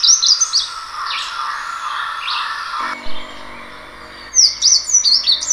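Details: Slate-blue seedeater (negrinho mexicano) singing quick, high, sliding notes, first softly and then as a clearer phrase near the end, over a steady tonal hum and background noise.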